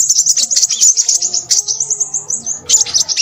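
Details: A crimson sunbird in busy, chattering song. Fast, high, sibilant notes run together into a trilling stream, with a brief drop around the middle before the bird resumes.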